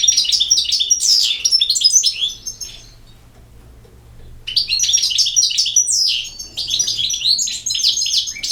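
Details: Goldfinch song in two long runs of rapid, liquid twittering and buzzy trills, broken by a pause of about a second and a half; quiet background.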